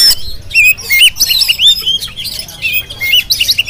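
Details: Oriental magpie-robin of the jampang type, a kept songbird, singing a rich medley of clear whistled slurs, sharp chirps and scratchy squawk-like notes in quick succession, bursts repeating throughout with little silence.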